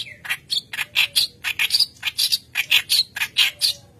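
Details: Continuous harsh, scratchy chattering from a white-browed kerak basi (reed warbler) in full song, kept as training lure material: about eighteen rasping notes at a quick, fairly steady pace with squeaky high accents.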